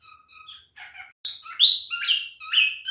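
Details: Male cockatiel whistling in mating behaviour: soft, spaced tones at first, then louder rising and falling whistled notes.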